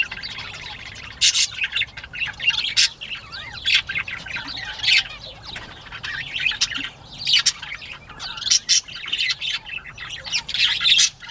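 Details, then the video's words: Northern bobwhites at play, morning of 19 April 2017: sharp, scattered squawks and clicks over a steady bed of faint high twittering, louder bursts spaced irregularly through the clip. "Bobwhite Quail playtime"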